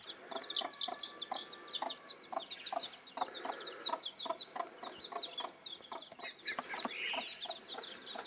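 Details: Bantam broody hen with young: quick, evenly spaced soft clucks run through the clip beneath constant high chick peeping, plus one louder chick cheep near the end.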